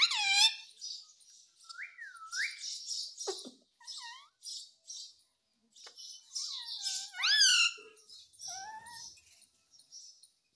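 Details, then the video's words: A rose-ringed parakeet gives a run of harsh, squeaky chatter and swooping whistled phrases, with speech-like mimicry among them, talking "Mummy Mummy". "Cute Ringneck Parrot Talking Mummy Mummy"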